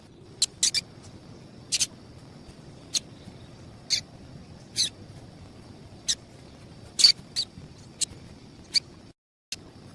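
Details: Double-collared seedeater female giving sharp, high chips at an irregular pace, roughly one per second, over a faint steady high whine; a call used to stir up males for singing tournaments.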